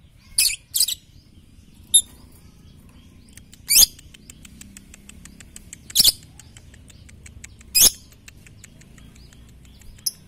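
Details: Lovebird training song for morning, noon and night: short, piercing, rasping screeches spaced a couple of seconds apart over a low background hiss, with faint clicking between them.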